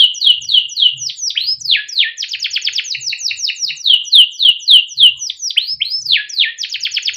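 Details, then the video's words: Young canary in full, long song, used as a tutor to draw out young birds: fast runs of rising and falling whistled notes, buzzy rattling trills and swooping slurred phrases, several repeats per second. "SUARA KENARI MUDA GACOR untuk pancingan kenari paud || kenari gacor panjang || canaries singing"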